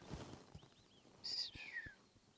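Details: White-faced whistling ducks calling as they land on a dam at Rietspruit Game Reserve in the Lowveld of South Africa, at sunset; one high thin whistle followed by a longer falling whistle, with low thumps and faint background noise.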